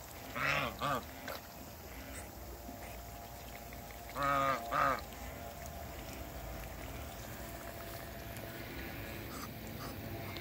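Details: African geese, a couple greeting on meeting: two bursts of brassy, harmonic honks, a paired call early, then a double honk a few seconds later, followed by quiet background hiss.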